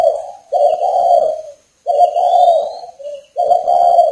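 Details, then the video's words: Spotted dove from a northern Vietnam breeding establishment, recorded on a rainy day, delivering long, rough, throaty coos. Each phrase trails into a brief quieter note. Faint high whistling tones sound behind. "chim cu gáy Tuyệt ĐỈnh miền bắc"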